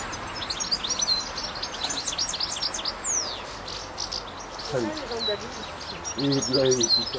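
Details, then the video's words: European goldfinch in nature in France, giving a quick, high-pitched twittering song of tinkling chirps for about three seconds, with faint background noise. A man's voice is heard speaking near the end. "chant chardonneret nature"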